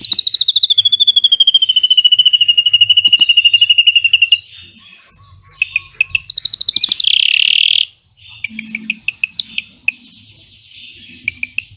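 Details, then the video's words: Drongo delivering a long 'cililin' trill, recorded as training material for magpie-robins: a fast, even run of high whistled notes for about four seconds, then sparse chips, a harsh buzzy burst and more scattered sharp notes. "SRIGUNTING ISIAN CILILIN NEMBAK PANJANG"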